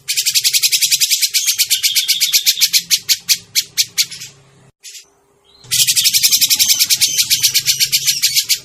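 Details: Grey-cheeked bulbul lure recording: a long, loud, grating chatter of fast pulses, about four per second, breaks off for a second, then resumes just as harsh over a faint low hum.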